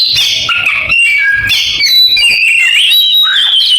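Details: Oriental magpie-robin imitating a canary, with choppy high chirps at first, then a drawn-out clear whistle rising and bending into a final swooping phrase.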